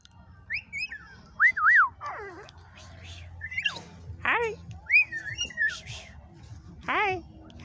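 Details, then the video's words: At a wildlife refuge, one of a pair of cockatoos whistles in bright rising-and-falling sweeps, with wavering, speech-like squawks and gliding downward notes between, over a faint hum. "Cockatoos Talking/Whistling/Singing"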